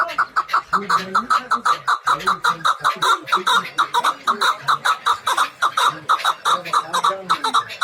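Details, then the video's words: Hybrid chukar partridges at a Dushanbe bazaar (Zarafshon) call a loud, steady series of sharp chuk-chuk notes, several each second, throughout; a man's voice murmurs faintly underneath. "Кабкхои гибрид дар бозори ш. Душанбе (Зарафшон)"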